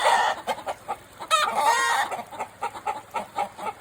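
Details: A chicken at Japan's Takumi no Yakata forest aquarium opens with loud clucks, then gives a brief harsh, harmonic cry, and carries on with rhythmic, evenly spaced clucking.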